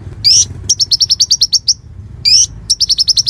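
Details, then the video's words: Caged konin singing a training song for murai: a buzzy rising note followed by a quick run of about twelve clipped high notes, then the rising note repeated and the run resumed. "Masteran Konin Gqcor Nembak Full isian Buat Isian Buring kicau"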